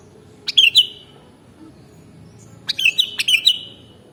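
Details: Kutilang, or sooty-headed bulbul, singing for a bird-training mastering track. Two bubbly whistled phrases, each opened by crisp clicks, are separated by about two seconds of quiet hum.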